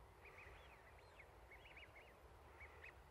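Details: Duck calling on a lake in fine weather: faint, short whistled piyu-piyu notes, rising and falling, given in quick scattered pairs over a low, steady background rumble.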